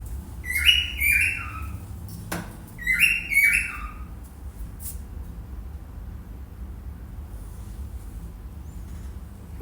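Cockatiel giving bright, downward-slurred chirps in two quick pairs.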